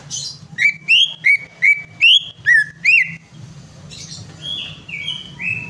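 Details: Greater green leafbird song used to prompt a bird that has stopped singing: a run of seven loud, sharp whistled notes, each a quick rising-then-falling slur, then softer drawn-out whistles sliding downward. A faint low hum sits underneath.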